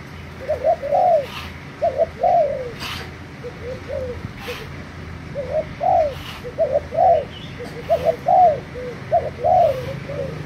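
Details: A Thai spotted dove used as a lure bird, recorded on 3 March 2018, gives soft, low, rounded coos in short phrases of two or three notes, repeating steadily, with a few faint clicks and a low hum behind.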